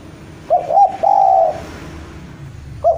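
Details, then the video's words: Javanese spotted dove (derkuku jawa), an eager caller calling out to a rival: one low cooing phrase of two short rolling notes and a long drawn coo, with a new phrase starting just before the end. Quiet low background hum. "Derkuku jawa gacor memanggil lawan"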